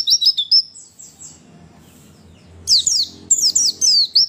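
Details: Female white-eye used to provoke males into calling: quick high chirps open the clip, a quieter stretch of thin notes follows, then loud sliding twitters resume near 2.7 seconds.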